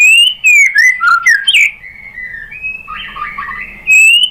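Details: Lure song of the white-rumped shama, used to stir another shama to sing: clear whistled notes sliding down in pitch, a few sharp high accents, then softer warbled phrases and a final loud whistle.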